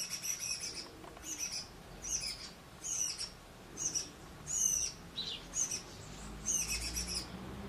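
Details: Shiny cowbird chick being fed by a rufous-collared sparrow (tico-tico) foster parent in a brood-parasitised nest, begging with thin, high, squeaky notes in short bursts about once a second over a faint low rumble.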